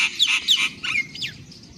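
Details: Young wild jungle babblers give shrill, squeaky notes in quick bursts, some sliding downward, with a steady low background hum.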